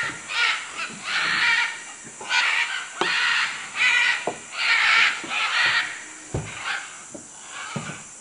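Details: Macaws in Manu, Peru: loud grating squawks repeated roughly once a second, some drawn out and some clipped, over a constant high-pitched insect hum.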